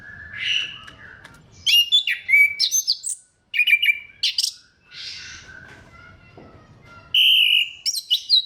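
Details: Orange-headed thrush lure song for rousing other thrushes to sing: bursts of rich high whistles and crisp chirps separated by short silences, with a sustained buzzy trill near the end followed by more sharp notes.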